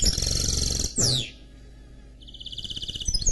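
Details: Hybrid canary x goldfinch (mule) song fragment: a dense high trill ending in a falling whistle, a second of quiet, then an even, rapidly pulsed trill building in loudness; low hum beneath.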